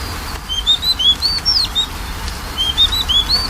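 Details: Magpie-robin song played as a lure for a bird that is slow to sing: soft, high whistled notes, mostly short rising and level slurs, in two loose runs against steady low background noise.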